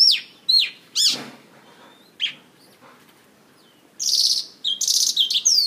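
A Mongolian lark sings a rich, varied jumble of high chirps, slurred whistles and scratchy buzzy bursts, delivered in quick uneven phrases with brief pauses.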